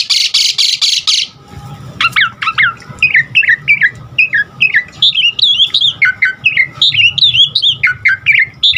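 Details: Asian pied starling song for prompting and training other starlings: begins with a few harsh rasping bursts, then a steady stream of short chirped and whistled notes that rise and fall quickly.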